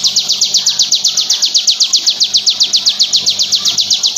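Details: Tight, relentless trill from a crystal bar-winged prinia, used for tutoring or provoking other birds: high, sharp descending notes at about four per second, perfectly even throughout.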